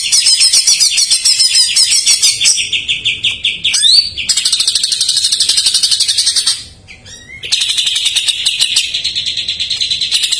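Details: Loud, dense isian song of a greater green leafbird, used to prompt untrained or silent birds: long unbroken runs of fast chattering trills and high whistles, broken once by a short pause.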